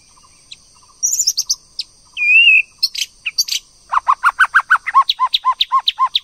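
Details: White-rumped shama, a female exciting a male to sing: scratchy high notes and a wavering whistle, then a long run of quick repeated arched notes, about three per second, over a constant high hiss.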